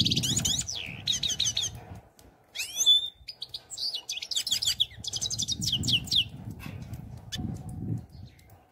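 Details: European goldfinch delivering rapid liquid twitters and clear downward-slurred whistles, with a rattling run of repeated chips in the middle; soft low rumbling noise underneath parts of the song.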